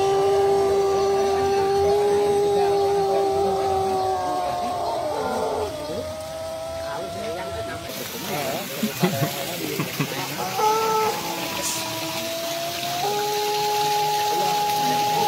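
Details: A prize-winning Pelung contest rooster gives long, drawn-out melodic crows, holding steady notes that bend and fall at the end.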